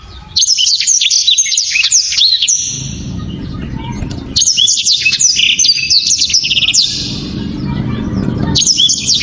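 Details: Blacktrod (Black-throated Canary) singing hard, clear and tightly packed: two long volleys of high, fast chirps, sweeping slurs and twittering trills separated by a pause with low background rumble, with a third burst starting at the end.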